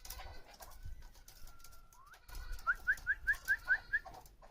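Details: Female chukar partridge kept for hunting: after a long steady whistle-like tone, a run of seven short, sharp rising notes at about five per second, each clipped and clucking, over low rumbling background noise.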